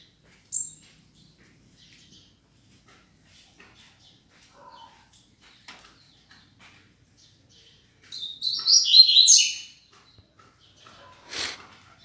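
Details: Caged male Double-collared Seedeater sunbathing in the morning after a bath, near a pomegranate tree, sings softly because a female came near; a quiet, high, two-second twittering phrase with a few thin chirps and a sharp click nearby.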